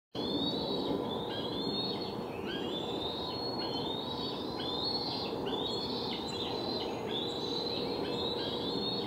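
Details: Hungry bald eagle nestlings near fledging at a nest in Delta, recorded July 12, 2020; continuous high, thin whistled and squealing calls, overlapping and repeated, above a loud steady broadband background noise.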